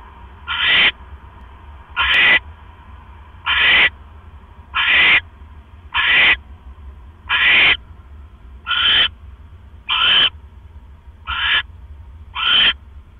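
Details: Owl at 7:24 PM, 18 October 2015, while a male brings a rat that his mate gulps down whole; ten short, harsh rasping screeches in a steady series, one about every 1.2 seconds, over constant low hum.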